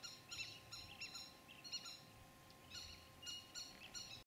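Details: Indian thick-knee (Burhinus indicus) chicks in the nest on a small Mekong River island near Koh Preah, below Stung Treng, Cambodia, give short, high, reedy chirps in quick bursts, about two or three a second, over a low steady hum and faint rumble.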